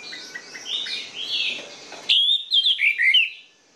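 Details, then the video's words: Orange-headed thrush song played to prompt sluggish birds into singing: after faint background warbling, a loud burst of clear, slurred whistled phrases rising and falling in quick succession. "PANCINGAN ANIS MERAH MACET DAN MALAS BUNYI"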